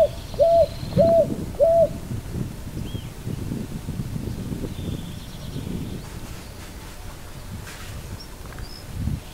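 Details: Picui ground dove giving three short cooing notes, each rising then levelling off, about half a second apart, followed by low rumbling background and faint thin high whistles from other birds.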